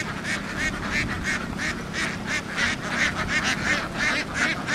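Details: Flock of laying ducks in Vietnam running across a field and down onto a boat; dense chorus of harsh, nasal quacks repeated about three times a second in steady bursts, over constant low background rumble.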